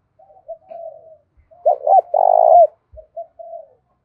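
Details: Spotted dove giving a fighting call in the thổ pha voice, used as a lure. Soft drawn-out coos come first, then one loud double coo with a long rough coo, then quieter short notes.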